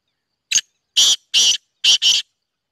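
Black francolin singing a harsh, grating phrase: one short clipped note, two longer rasping notes, then a quick closing pair, all within two seconds. No other sounds.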